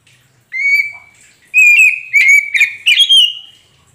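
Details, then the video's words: Kacer poci magpie-robin song meant to draw a reply from a silent bird: a drawn-out clear whistle, then a run of sharp, twittering notes ending on a high rising whistle. "Pancingan untuk Kacer poci macet bunyi pasti nyaut"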